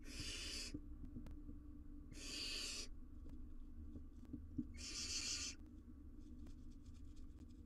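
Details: Barn owl owlet on a wild live cam, attempting to swallow a massive jird, gives three rough, airy screeching hisses spaced about two seconds apart, with soft ticks and steady low hum in between.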